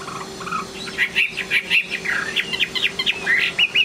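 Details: Chinese hwamei in the late afternoon giving a choppy series of short whistled and chirping notes in quick succession, somewhat muffled, over a steady hum and background noise.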